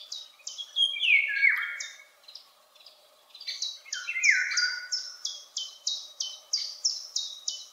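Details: Distant Eurasian golden oriole singing high in the treetops: two mellow, liquid whistled phrases falling in pitch, set against a rapid, regular series of high, sharp notes from another bird.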